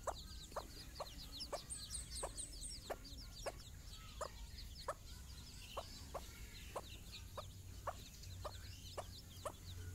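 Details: A domestic hen clucks to her chicks for a morning walk outdoors, the chicks' first time outside. Short clucks come every half second or so, with thin descending peeps from the chicks and a low background rumble.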